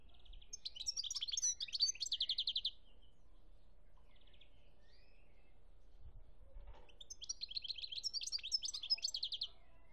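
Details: European goldfinch singing in Algeria, 2017: bursts of rapid twittering and tinkling notes with buzzy trills, a phrase of about two seconds, a pause, then another burst near the end; low background hum.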